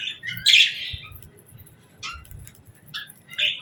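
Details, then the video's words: At evening feeding time, budgerigars utter a few sharp, scratchy chirps spaced apart, the first loudest, with soft rustles between. "Budgies Evening Fun 🕊️🌿 | Chirping Sounds & Feeding Time Delight 🐦"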